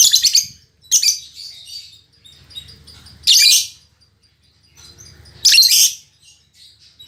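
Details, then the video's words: Captive female lovebird with a fighter temperament, said to sing as strongly as males; four loud, scratchy, high squeaky bursts, each about half a second, separated by quieter twittering and a low background murmur. "Suara Burung Lovebird Betina Fighter"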